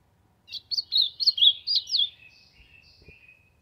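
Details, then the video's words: An ultramarine grosbeak singing to warm up delivers a quick series of clear, looping whistles, then trails off into softer, thin drawn-out notes; a single faint knock near the end. "Azulão cantando pra esquentar"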